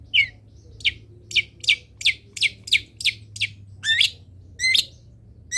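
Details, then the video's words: Long-tailed shrike, recorded to train other birds to sing: a series of short scratchy chirps, roughly evenly spaced, followed by two rising slurred whistles, over a faint hum. "MASTERAN CENDET ANTI GAGAL - CENDET MANAPUN IKUT BUNYI DENGAR INI"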